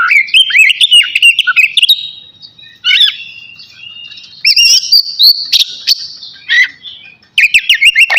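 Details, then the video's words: Oriental magpie-robin, navy type, ready for its bath: a quick run of wavering whistled notes, then drawn-out sweet tones with short clicking bursts, ending in renewed fast phrases. "KACER NAVY GACOR SIAP MANDI"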